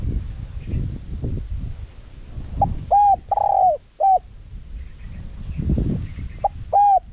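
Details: Spotted dove cooing, a recording used to lure wild doves: short clipped notes and one longer low hoot in two bursts, over steady low rumbling background noise.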